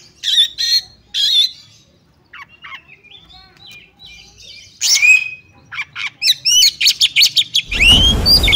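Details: Female Oriental magpie-robin calling to a male to spur him into vigorous singing: harsh buzzy bursts, then a quiet gap with thin whistles, then a rapid run of sharp notes and an upswept whistle, ending in loud rustling noise.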